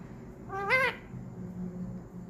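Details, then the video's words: A parrot talking indoors, saying "mummy": one short rising-falling voiced call with stacked harmonics, lasting about half a second, over a low room hum. "parrot talking mummy"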